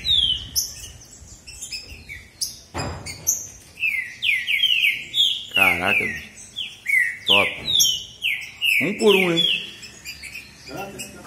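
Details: Singing contest between two male green-winged saltators, bitola song: a long series of sliding, downward whistled notes repeated steadily, broken several times by men talking close by.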